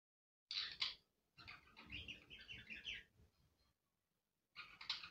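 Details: Pet budgerigars keep up a continuous warbling chatter of quick, buzzy chirps, broken by a brief silence before a last burst, over a soft low rumble.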